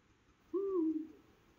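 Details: A male Eurasian eagle-owl calling for its mate in the La Safor region of Valencia, Spain, near Gandia and Oliva, one deep, booming hoot about half a second long, easing slightly downward, over a faint hiss.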